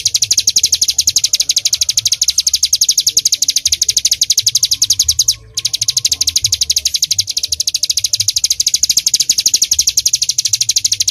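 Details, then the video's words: Rapid-fire 'full nembak' song of a bar-winged prinia, used for training other songbirds: shrill chips pour out roughly ten a second, with one brief break near the middle before the burst resumes, low rumble beneath. "Ciblek Gunung Full Nembak"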